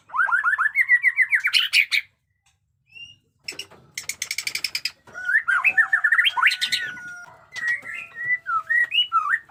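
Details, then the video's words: Jenggot Dewa white-rumped shama in new plumage singing fighter-style: a fast series of rising whistled notes, a pause, then a buzzing rattle and a flurry of twisting whistles and sharp upward slurs. "pesona AURA MURAI BATU JENGGOT DEWA fighter abis Batuk Koral, Muntah beling murai bisu ngikut nYaut"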